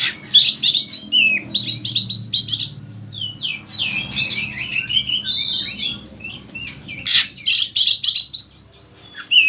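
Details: Oriental magpie-robin in loud varied song, used to provoke and tutor other kacer: dense buzzy high bursts, chattering runs and whistled slurs, a quieter mid-stretch, then more buzzy bursts.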